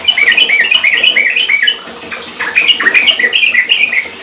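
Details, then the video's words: Sooty-headed bulbul song used to prompt other bulbuls to sing: dense run of bright, warbled whistled phrases in quick succession, with a brief dip near the middle, then resuming; several similar voices seem to overlap. "JOS banyak trucukan yg terpancing langsung gacor"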